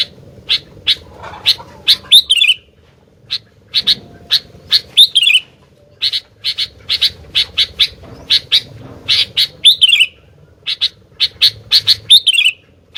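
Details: Sooty-headed bulbul singing energetically: series of short sharp chipping notes in bursts, with occasional slurred descending warbled phrases, over a faint low hum.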